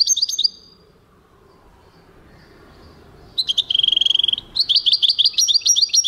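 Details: European goldfinch singing, 2023: a twittering burst, nearly three seconds of quiet, then a rapid even trill and another run of bright, tinkling twitters.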